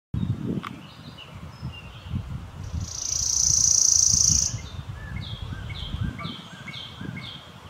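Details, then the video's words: A Worm-eating warbler singing in northern West Virginia gives a dry, insect-like buzzy trill, high and even, lasting about a second and a half; other birds chip and whistle around it over a low background rumble. "Worm Eating Warbler"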